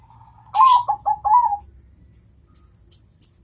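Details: Zebra dove of the Bangkok type answering a rival, giving a single four-note cooing phrase of low, rolling notes, the last drawn out, followed by a run of quick, thin high chirps from smaller birds.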